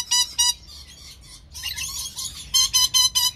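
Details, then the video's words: A captive Red lory from a breeder pair gives harsh, shrill screeches: two short squawks, a longer ragged burst, then four quick screeches in a row. "red lorikeet talking"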